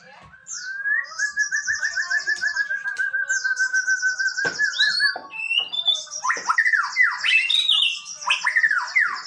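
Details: Male white-rumped shama singing: long rich whistled phrases, a wavering trilled note held for several seconds, high buzzy trills above, then loud swooping slurred whistles and sharp clicks toward the end.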